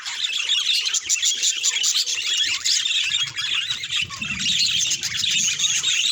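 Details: Budgerigar vocalizing as a clue to its mood: continuous loud, high chattering warble of squeaks, clicks and whistles, with a faint low murmur in the background.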